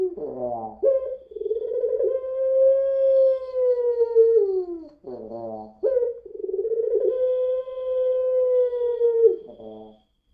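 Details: Puter pelung dove lure: two long, even coos of about four seconds each, each ending in a gravelly, sobbing catch that resembles crying before the next begins.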